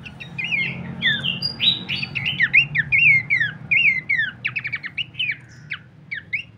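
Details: Horsfield's babbler used as a lure and training master: lively mix of swooping whistles, quick clipped notes and a brief rapid stutter, thinning out near the end, with low hum in the background.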